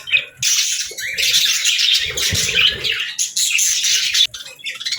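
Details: Budgerigar chirping in quick bursts: bright twittering warbles and short squeaks, broken by brief gaps, with soft low thumps in the background.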